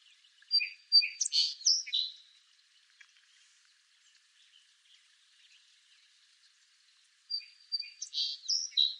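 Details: Song sparrow singing two bursts of song, each opening with a few clear high notes followed by a quick jumble of buzzy and sweet phrases. A quiet pause of about five seconds separates the two songs.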